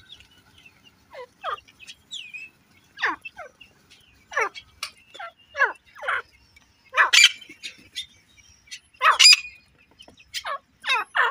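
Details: Female grey francolin calling: a series of scratchy, downward-sweeping chattering notes, about every second, building to louder harsh bursts toward the end.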